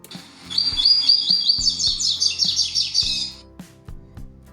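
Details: A caged Double-collared Seedeater (coleiro) kept near a cockatiel sings a fast, high, sweet phrase of rapidly repeated whistled notes lasting about three seconds, with a longer last note suspected of copying the cockatiel's call, over low hum and knocks.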